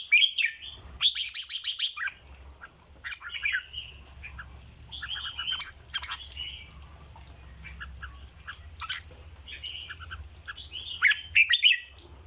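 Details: Busy stretch of song from a caged red-whiskered bulbul in 'dok' style: an opening rush of loud, buzzy notes, then many softer whistles and chirps, ending in a brighter whistled phrase, low hum underneath.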